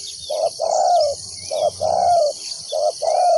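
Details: Trapping decoy spotted dove coos steadily: three short-then-long paired notes, the long coo sliding gently downward, evenly spaced about a second apart, with a continuous insect buzz high above.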